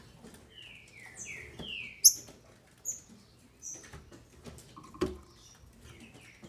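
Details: Caged female green-winged saltator in Brazil, sung to excite males: a few separate falling whistles early on, then high thin notes and scattered sharp clicks and knocks.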